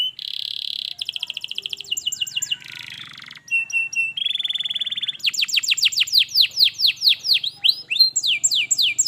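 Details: Song of a canary played to spur a silent canary into song: a buzzy trill, rapid chattering notes, a harsh rasping section, then long runs of quick descending whistles and ringing rolled phrases.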